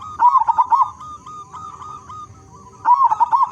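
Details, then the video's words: Local zebra dove noted for a big voice, used to get other zebra doves singing. A loud rolling coo of quick warbling notes, a pause filled by faint cooing, then another bubbling phrase starts. "Perkutut Lokal Gacor Suara Besar Cocok Untuk Pancingan Semua Jenis Burung Perkutut Agar Bunyi"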